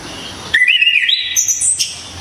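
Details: Orange-headed thrush, a Javanese bird noted for its loud, sharp, clear voice, giving one brief whistled phrase that climbs in steps from a lower slur to a thin high note, ending in a short sharp burst.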